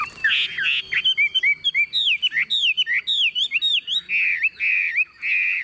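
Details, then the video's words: Tame caged Chinese hwamei singing while its cage is hand-carried and shaken: loud, rich whistled phrases, slurred up-and-down notes repeated in quick varied bursts, ending in sustained ringing whistles. "Họa mi thuần điện căng đét - Xách tay lắc lồng hót đỉnh"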